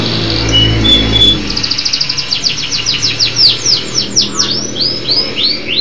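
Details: Local canary singing energetically: a short whistle, then an accelerating trill that slows into loud descending sweeps and rising slurs, with faint low background noise.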